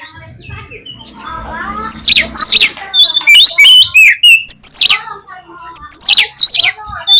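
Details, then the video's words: Oriental magpie-robin song for provoking tail-shy birds to fight: a dense, loud mix of harsh rasping bursts, whistled slurs and chatter, over a soft low background rumble at the start. "COCOK UNTUK PANCINGAN KACER YANG MALAS BUKA EKOR SEKALI DENGAR AUTO FIGHTER"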